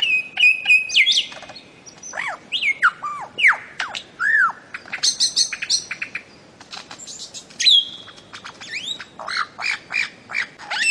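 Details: Bird-of-paradise song of quick sliding whistles, downward swoops and short clipped chips. The notes jump between high and middle pitches in an irregular, lively stream.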